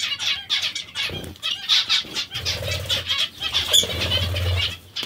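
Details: Several nasal zebra finch calls, short and buzzy, sound in quick succession while the birds eat vegetables. Bursts of wing flapping and low fluttering run through the middle and end.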